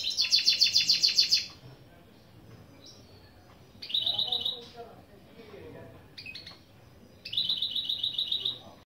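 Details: Goldfinch × canary mule delivering intro song phrases such as boli boli boli and velisvelis: three bursts of rapid buzzy high trills, with softer twittering notes in between.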